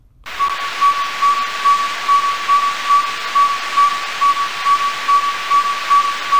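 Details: Northern Saw-whet Owl in Idaho gives its tooting call, an even series of clear, mid-pitched whistled toots, about two or three each second, that can go on all night, over a steady background hiss.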